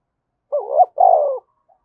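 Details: A single vigorous spotted dove coo in the thúc bổi style: a short throaty note runs straight into a longer, rolling, slightly falling coo, followed by a brief faint note.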